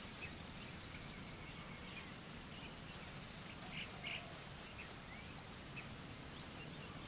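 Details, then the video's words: Young common kingfisher calling while it waits for the parent to come home, a run of six thin, piercing high notes evenly spaced about a quarter second apart, with a faint lower note and steady ambient noise. "Baby Bird waiting for Mother to come Home(Alcedinidae)"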